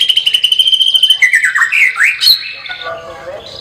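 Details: White-rumped shama singing a lively song, opening with a rapid high trill of repeated pulses, then loud looping whistled slurs that dip and rise, fading into softer lower notes.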